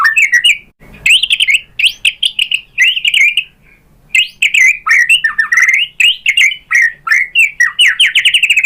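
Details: A white-rumped shama, singing to provoke other shamas into answering, pours out a varied stream of short chattering, warbled and slurred notes with brief pauses and a quiet gap near the middle.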